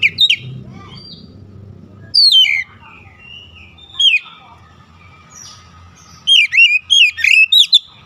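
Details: Oriental magpie-robin singing in bursts of loud, clear whistled notes that sweep down and twist, separated by quiet pauses, with a faint low hum underneath.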